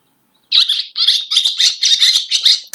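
A Barn Swallow gives a fast, high, scratchy twittering chatter of about seven bursts over two seconds, ending in a sharp note.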